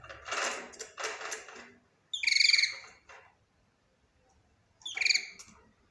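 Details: Budgerigar chatter: two noisy scratchy bursts, then a loud harsh harmonic squawk, a pause of about two seconds, and another similar squawk.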